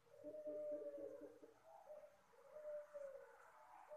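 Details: Puter Pelung dove giving a soft call, described as effective as a lure for birds; low mellow coos in two phrases, the first around half a second to one and a half seconds, a second quieter phrase later, faint background hiss.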